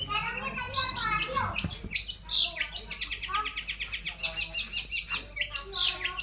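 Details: Used to provoke other birds into song, a long-tailed shrike gives varied chattering phrases, then a fast, even series of repeated rattling notes, several per second, ending in sharp high squeaks.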